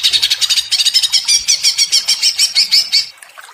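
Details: Greater green leafbird, provoked and agitated, singing in the rapid ngentrok style: about three seconds of harsh, fast, evenly repeated high notes, roughly six per second, ending abruptly and fading into quiet.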